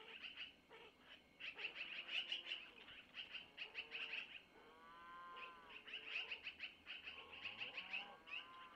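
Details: Long-eared owl owlets begging as the mother feeds them prey taken from the male, nest camera near Missoula, 25 April 2024 around 05:05; steady high chirping runs with lower harmonic wavering calls midway.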